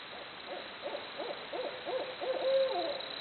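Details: Barred owls calling like a jungle: soft hoots repeated about four per second build into a louder run, finishing with a sustained note that bends downward.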